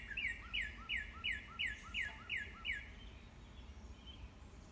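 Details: Morning song of a Northern cardinal, a run of eight bright down-slurred whistles about two to three per second, each trailed by a quiet lower slur, ending in a faint background hum.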